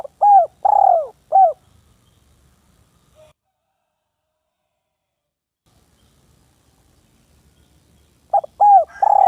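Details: Village spotted dove calling a rival, a masteran recording: a husky three-note coo phrase with a drawn-out, falling middle note, then a long silence, then the same phrase repeated near the end.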